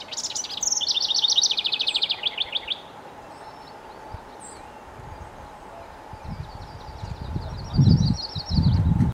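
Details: House wren (Troglodytes aedon) singing a rapid, bubbling cascade of high chattering notes, then a fainter second phrase, over a steady hum and low wind rumbles.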